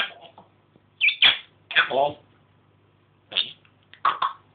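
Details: African grey parrot at home talking and mimicking speech: several raspy voiced syllables in quick pairs, resembling spoken words, separated by short pauses.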